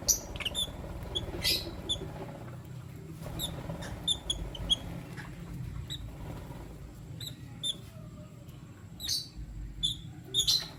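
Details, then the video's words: A lutino lovebird male with two females: short, piercing squeaky chirps repeat irregularly, often in pairs or small clusters, against steady low background hum. "Lutino Lovebird Chirping Sound - 1 Male Chooses 2 Females"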